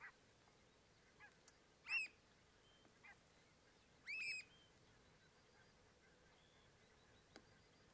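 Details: A Eurasian oystercatcher at the Rantumbecken on Sylt, Germany, gives two loud, shrill piping 'kleep' calls about two seconds apart, with fainter calls from other birds between them.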